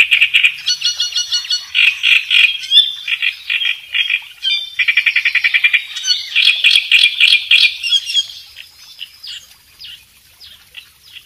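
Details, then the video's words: A reed warbler sings actively, used as a training recording for song learning: a loud, harsh, chattering song of rapid grating phrases, each repeated several times before switching, with no other sounds. "suara burung kerakbesi gacor"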